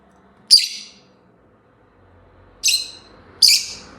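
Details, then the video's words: Rosy-faced lovebird, a very chatty bird, giving three sharp, high chirps: one alone, then a pair close together near the end, with quiet gaps between. "Lovebird singing and chirping sounds|very chatty bird"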